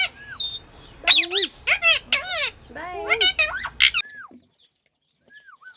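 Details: A pet parrot talking in Sindhi gives quick bursts of raspy, speech-like syllables mixed with squawks, then a few soft whistled notes before falling quiet.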